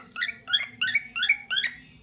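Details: Pet cockatiel sings five warbled phrases, each a rising, slurred two-part note, repeated roughly every third of a second in a steady rhythm.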